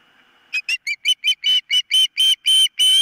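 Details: Osprey at a camera-watched nest, recorded 4 September 2023 as a bird almost loses a toe, gives a quickening series of about a dozen sharp, high whistled yelps that grow louder and longer toward the end.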